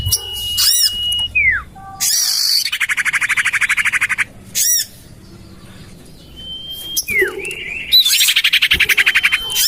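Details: Common iora lure call, tested in a garden beside a house: long level whistles, each ending in a quick downward-slurred note, alternating with fast buzzy rattling trills and short harsh stacked notes.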